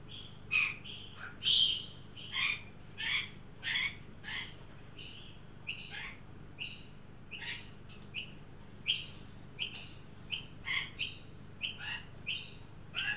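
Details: Australian magpies, adult leading juvenile to a birdbath in a Sydney yard, heat wave reaching 43°, 9 December 2023; a long, uneven string of squeaky, slightly harsh notes, roughly one per second, varying in loudness.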